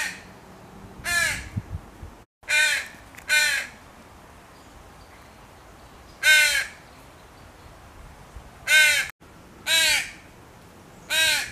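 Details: Baby crow crying to its mother for food, giving loud raspy caws spaced irregularly, roughly seven calls including a couple of close doubles, over a quiet, steady background.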